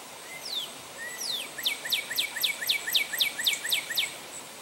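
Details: A male Northern Cardinal sings at St. Johns Conservation: two slow slurred whistles, then a quick run of about a dozen clear, steeply down-slurred notes, four per second, over faint background hiss.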